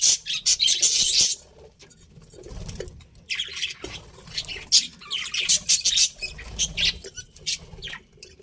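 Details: Pet budgerigar breeding pair chirping: loud bursts of harsh, buzzy squawks and scratchy chatter, a dense burst at the start, a quieter stretch, then repeated rapid chirps and squeaks through the second half.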